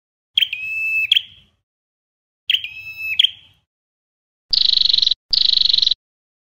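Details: Ashy tailorbird (red-headed tailorbird) song in Vietnam: two high, steady whistled notes with sharp starts, each about a second long, then two harsh buzzy bursts in quick succession.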